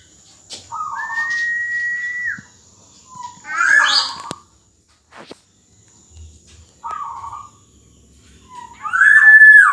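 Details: Black-naped oriole singing in 'gacor dor jonbreak' style as a tutor for young birds: long level whistles with lower lead-in notes, a harsh squeal mid-way, sharp clicks, and a loud rasping whistle at the end.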